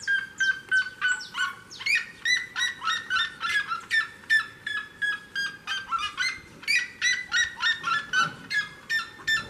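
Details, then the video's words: Seriema singing beside a house door: a long, fast, regular sequence of shrill yelping notes, about three per second, each sharp and harmonic, sustained for nearly ten seconds with a low background hum. "seriema canta perto da porta de casa"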